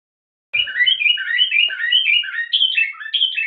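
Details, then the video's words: Common bulbul of Morocco delivering tashyi'a song with two variations: a continuous run of chirpy, melodious note pairs stepping up and down in pitch for about three seconds, after a brief silent start. "تشييعة بتبديلتين لطائر البلبل المغربي chant du bulbul des jardins"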